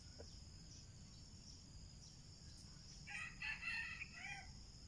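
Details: A red junglefowl at a lure-trapping setup gives a single short, hoarse crow near the end, cut off abruptly, over a steady high insect whine.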